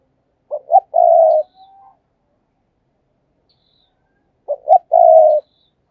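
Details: Captive decoy spotted dove (cu mồi) giving its calling coo twice, several seconds apart: each phrase is a short stuttered note, a rising coo, and a long steady hoarse croon, with a faint thin whistle after the first.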